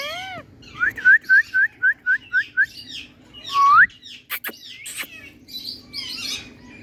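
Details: Indian ringneck parrot, a pet, in a happy mood, giving a quick string of about eight identical rising whistles, then one longer swooping whistle, followed by sharp clicks and soft chattering.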